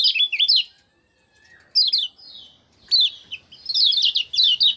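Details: Kecial kuning, the common iora, in lively ngejos song, 6 December 2024: short bursts of quick, high twittering notes separated by pauses of about a second, with a faint lower whistle between phrases.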